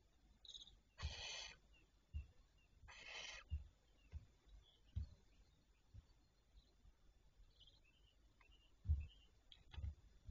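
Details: Barn owls heard on the morning of 27 May 2023 at 07:52 give two rough, breathy screeches in quick succession. Soft chirps of other birds and low thumping noise follow.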